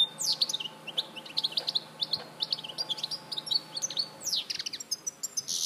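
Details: European goldfinch at Larache in 2014 delivering a long continuous twittering song of rapid high chips, trills and a few downward-sweeping notes, barely pausing throughout, over faint background noise.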